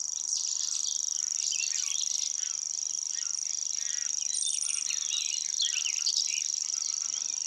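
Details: A Grasshopper Warbler at Fish Lake Meadows reels without pause: a high, dry, insect-like trill that swells and fades as it turns its head, with other birds warbling more softly beneath.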